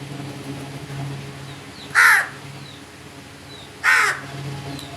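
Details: Crows giving two loud, harsh, broadband caws about two seconds apart, over a steady low hum with faint thin whistles of other birds in the background.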